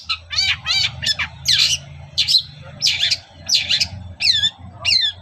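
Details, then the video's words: Long-tailed shrike singing in the morning as a lure for other shrikes: repeated harsh, rasping notes about once a second, mixed with stacked downslurred squeaky calls, over a low rumbling background. "SUARA PANCINGAN BURUNG CENDET GACOR PAGI HARI"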